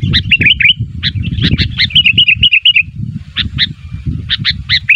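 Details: Calling sooty-headed bulbul meant to provoke replies from other bulbuls. A rapid chattering series of bubbly, warbled notes is followed after a short gap by spaced, clipped chirps, with low rumbling noise throughout.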